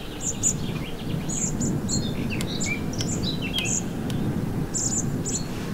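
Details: Song thrush in a Morbihan garden, Brittany, on 27 June 2023, after fledging, around feeding: thin, very high calls in short bursts several times a second over a steady low rumble.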